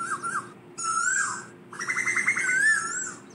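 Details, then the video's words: Flock-gathering calls of an Asian koel: wavering whistles and a long falling note, then a quick series of short rising notes ending in a drawn-out slurred whistle. "Tiếng chim tu hú gọi bầy"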